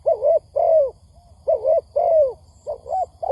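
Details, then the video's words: Spotted dove lure recording used to draw wild birds in for trapping: low, mellow paired coos with bent, falling second notes, repeated in groups about every second, plus faint high electronic beeps and a low hum. "Tiếng Chim Cu Gáy kích bổi nhanh nổi"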